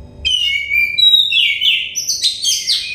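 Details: Short Oriental magpie-robin song snippet from a therapy recording for stressed birds: a long level whistle, then slurred notes and very high quick chirps, over a light hum.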